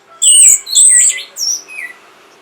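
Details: Orange-headed thrush singing, meant to bring on breeding mood and provoke replies: high pure whistled notes alternating with lower buzzy slurs, three or four phrases in a short, slightly noisy run.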